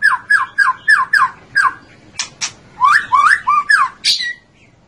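A white-rumped shama sings a rapid run of rich, slurred whistles, about three per second, broken by a couple of harsh, scratchy notes before more rising phrases.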